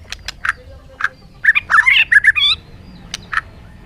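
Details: A few sharp, isolated chips lead into a dense, harsh jumble of squawky and warbled notes, followed by more single chips from a bird.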